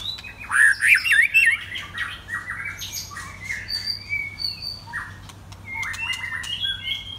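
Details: Loud singing from a white-rumped shama: rich, varied whistled phrases, rapid fluty warbles at first, then scattered clear notes and short chattering bursts, ending in higher sweet whistles, over a faint steady background hum.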